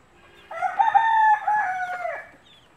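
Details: Country chicken among a hen and her chicks: one drawn-out harmonic crow of about two seconds, steady then breaking and sliding down at the end, over a quiet background.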